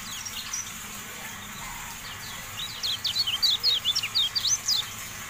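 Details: Javan white-eye song: quiet scattered chirps at first, then a fast, bright burst of high, zigzag twittering notes in the second half, above soft steady hiss.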